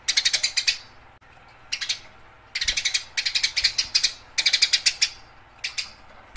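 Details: House sparrow fighting, dense volleys of scratchy, rapidly repeated chirps in long rattling runs with only short breaks, loud and insistent throughout.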